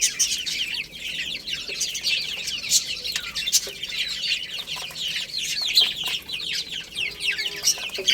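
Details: Young chickens feeding and playing, heard as a constant mass of thin, high peeps. The downward-curving cheeps overlap densely, with scattered clicks and a faint low hum late on.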